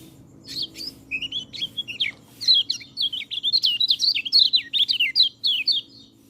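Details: White-eye song for training birds that rarely sing: a rapid run of high, bright twittering notes with quick up-and-down slurs, starting in short bursts and building into a continuous warbling stream.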